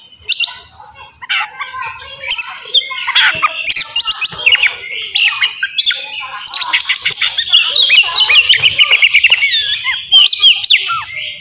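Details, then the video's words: Oriental magpie-robin in gacor fighting song, ngeplong style, for provoking untrained kacer: busy, continuous stream of harsh clicks, chatters and short whistled slurs. "KACER NGEPLONG GACOR TARUNG!! INI AMPUH BUAT MANCING EMOSI DAN BIRAHI KACER BAHAN"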